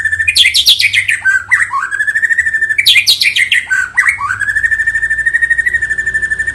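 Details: White-rumped shama singing energetically in the batuk-batuk style, mixing high, sweeping whistled notes and rapid chattering flourishes with long, steady runs of fast-repeated whistles. A faint low hum sits in the background.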